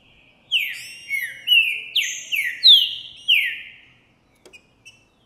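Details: Green-winged saltator, 'Boi' song type, male displaying toward a female, January 2024: a loud run of seven downward-sliding whistles rising overall in pitch, followed by a few faint clicks and soft notes.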